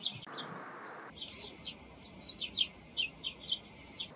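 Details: Eurasian tree sparrows calling in the morning with short, crisp chirps, spaced about half a second apart and growing busier toward the end, over low hiss.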